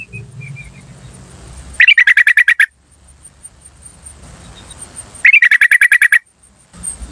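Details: Yellow-vented bulbul from a wild recording used as a lure for wild birds. Two rapid runs of about ten loud, clipped 'cuk cuk cuk' notes, each burst lasting under a second, separated by quiet with a faint insect hum.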